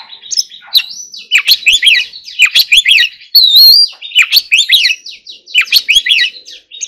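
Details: Oriental magpie-robin in song training, singing in a forest-voice style: rich, varied whistled phrases with fast rising and falling notes and sharp chips, delivered in bursts about every second with short pauses between.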